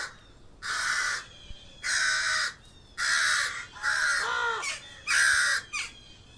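A crow gives five or six harsh, hoarse caws, each about half a second long, about one a second, against a quiet background.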